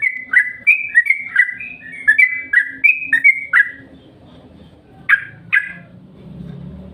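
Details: Lure call of a yellow-vented bulbul, used to get other bulbuls singing: a steady run of short, rich, whistled chirps, each slurring down, repeated about three times a second, then two louder separate notes over faint background hum.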